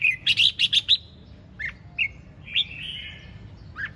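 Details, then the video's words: Red-whiskered bulbul singing in ché chẻ style: a rapid run of five loud, sharp chirps in the first second, then scattered single whistled notes and a short trill, over faint low hum. "Hót Cực Sung ( Ché Chẻ Cực Đỉnh)"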